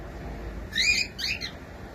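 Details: Pet cockatiel chick singing indoors: two quick chirpy whistled notes in close succession, bright and high, with faint room hiss behind.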